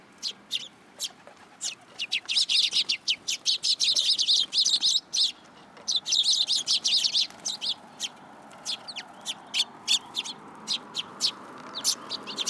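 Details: A flock of sparrows perching on a person's hand, Tenmangu shrine, 8 July 2022: dense, rapid chirping that swells into a busy chatter of overlapping tweets, then thins to spaced single chirps.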